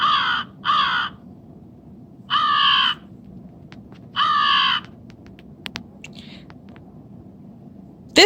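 A crow gives four harsh, nasal caws, two quick ones then two more spaced about two seconds apart, with a few faint clicks in between.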